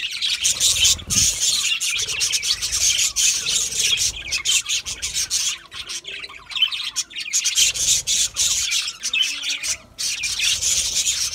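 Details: Budgerigars eating a seed mix, a dense wash of high, raspy, scratchy chirps running almost without pause, broken by brief quiet gaps, with faint low squeaks underneath.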